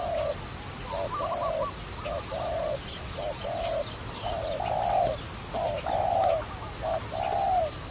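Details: Dove linked to trapping, cooing in a steady series of short hollow notes alternating with longer, fuller ones, with faint high twittering from other birds above throughout.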